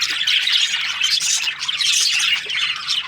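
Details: Breeding pairs of budgerigars chatter constantly, a jumble of scratchy high notes, squeaks and squawks layered over one another.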